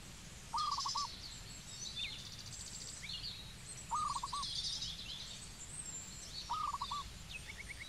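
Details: Zebra dove in Cambodia repeating a short, rapid, stuttering coo phrase three times, about three seconds apart. Busy high twittering from other birds fills the gaps.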